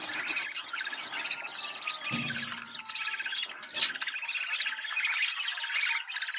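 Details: Mating-stimulation sound of budgerigars: a busy flock warble of buzzy chirps and squawks, steady throughout, with a low hum briefly underneath around the second mark and a sharp burst near four seconds.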